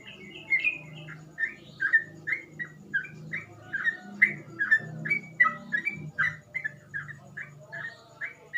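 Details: Softer, steady series of liquid, slurred whistles from a yellow-vented bulbul in ropel song, notes spaced about every half second over a continuous low humming background.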